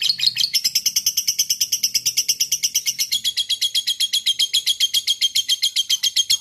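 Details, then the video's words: A lovebird kept as a single fighter chatters in fighting mood: a steady series of sharp, buzzy notes repeated quickly and evenly, forming the long 'ngekek' rattle. "Love Bird Ngekek Panjang"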